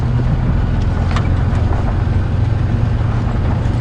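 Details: A vehicle engine rumbles steadily at low pitch throughout, with no animal calls heard.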